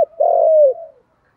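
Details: Spotted dove, male and female calling to stir trained birds into cooing, in a fighting-coo style: one drawn-out, even, low coo about three-quarters of a second long, fading at the end, with no other sound.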